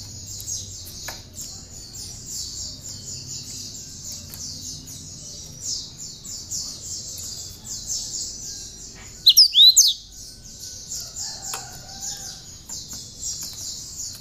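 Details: Cinereous tit with bar-winged prinia notes in its song, recorded to train other songbirds: a long high chattering trill of fast repeated notes, broken once by a brief loud cluster of sharp swooping whistles, with faint lower whistles after.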